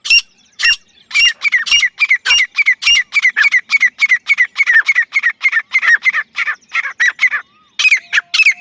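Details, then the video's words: Grey francolin calling insistently: several sharp, high squawks, then a long, steady series of harsh, slurred notes repeated about twice a second, ending in a brief renewed flurry. "Desi gery francolin partridge love💞 teetar ki zabardasth sound effect"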